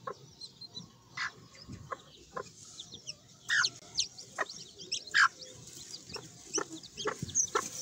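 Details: Several Sebright chicks peeping continuously in high, thin notes, the chirps overlapping and bending up and down, with irregular knocking clicks and a few louder peeps partway through.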